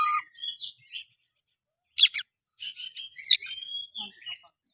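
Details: Oriental magpie-robin song played to goad another bird into singing, fighting and tail-spreading: scattered whistled notes, two sharp high bursts, then a loud cluster of bright, varied chirps and whistles with pauses between.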